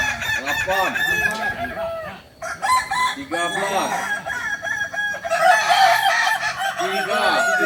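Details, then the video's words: Crowing of Kukuak Balenggek chickens, a singing breed native to Solok: repeated bouncing syllables and sustained ringing tones in two bursts separated by a brief lull, with overlapping voices. "Ayam kukuak balenggek ayam penyanyi asli solok"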